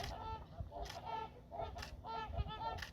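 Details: Trumpeter swans flying in at Church Slough, Montana, giving deep, horn-like honks with rich harmonics, spaced roughly every 0.8 seconds in short paired bursts, over a low rumbling background.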